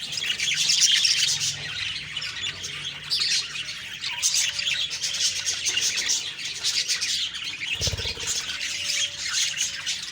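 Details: Morning budgie chorus, October 2, 2023: many overlapping high chirps and scratchy warbles run on for ten seconds, with a soft knock near the end.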